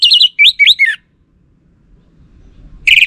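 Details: Orange-headed thrush song used as a lure to draw a reply from male birds: a loud one-second phrase of quick whistled, slurred notes that rise and fall, a silent gap, then the next phrase begins.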